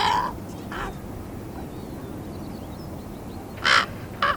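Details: Young raven, 13 and a half weeks old, still learning to use its voice box, gives four harsh, hoarse caws: two close together, a pause of about two and a half seconds, then two more.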